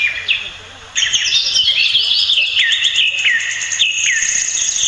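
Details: Pied fantail, called maria capra locally, near its nest in a Bulacan, Philippines backyard. After a brief quiet start, a sudden burst of shrill chattering follows, with squeaky downslurred chips repeated quickly over dense high twittering.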